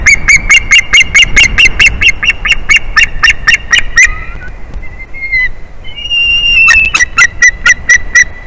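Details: Adult male white-tailed eagle in the nest tree, calling a lot at the nest as his mate returns on 8 April 2021, early afternoon: a fast run of sharp, high yelping notes, a brief pause with slurred squeals, then the yelps resume.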